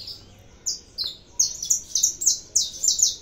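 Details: Saffron finch singing: bright, high, slurred notes falling in pitch, starting spaced apart and quickening into a steady, emphatic run of about three notes per second.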